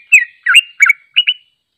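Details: Sooty-headed bulbul in a long unedited trilling song used for training: four quick burbling whistled phrases near the middle-high range, each a short slurred cluster, then silence.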